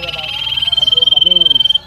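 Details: Common iora in full song: one long, steady, high whistle sustained for nearly two seconds. It opens with a fast pulsing flutter and ends abruptly. Faint human voices sit low underneath.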